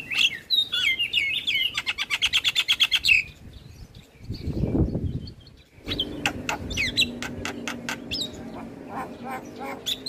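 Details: Javan myna training song for starlings, bird nodding in full song: twittering whistles and a fast rattling click series, a brief rushing noise in the middle, then resumed sharp clicks and notes.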